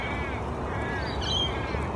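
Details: Little ravens (Corvus mellori) down on a main road in a March dawn chorus around 6:30 am give distant, harsh, nasal cawing calls over a steady low rumble, with a brief thin whistle from another bird.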